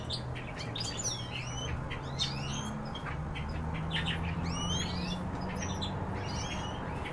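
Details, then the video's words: Several pet canaries singing indoors: scattered high chirps and quick sweeping whistled notes at an uneven pace, fairly faint over a steady low hum that runs throughout. "Мои кенара"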